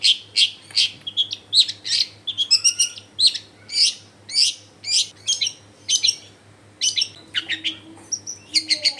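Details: A long-tailed shrike's lively song, used to lure other shrikes into singing, recorded in a busy residential area: harsh chirps and sharp notes repeated in quick clusters with brief pauses, and a low hum behind.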